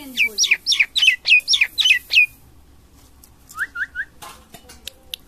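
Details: Common myna (shalik), a talking bird: a rapid run of about eight sharp descending chirps, then a pause and three softer rising whistles, with clicks and faint background noise.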